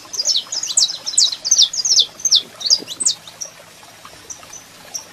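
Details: Saffron finch male singing with female calling, a clear burst of sliding, sharp high notes for about three seconds, then a few isolated thin whistles.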